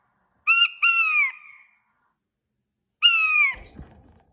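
A male King quail gives short, nasal, slightly descending piping notes: two quick ones, then a drawn-out note after a pause. A soft thump follows.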